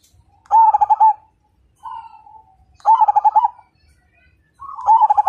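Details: Majapahit perkutut, or zebra dove, sings loud phrases of quick pulsing coos, each phrase answered by a softer, falling trill. The sequence repeats roughly every two seconds.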